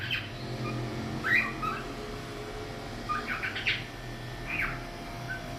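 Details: A cockatiel (Nymphicus hollandicus) cleaning its wings gives soft, scattered chirps and brief whistled notes over a steady low hum.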